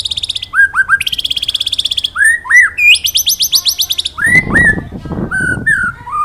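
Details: White-rumped shama training song in the ngalas nembak style, wit wit cerrrr: loud clear whistled notes and sweeping upslurs alternate with fast buzzy rattling trills, ending in a brief noisy burst under further whistles.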